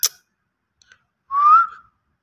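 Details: A green ringneck parrot gives a single clear whistle that slides upward and then drops off briefly, after a sharp click and near-silence, with no other sounds.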